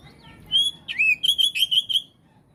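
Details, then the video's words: Oriental magpie-robin singing to prompt other magpie-robins to respond: a clear sustained whistle, a sharp downslurred note, then a run of five bright, evenly repeated whistled notes over a quiet background. "Kacer jenis apapun jika dengar suara ini langsung RESPON"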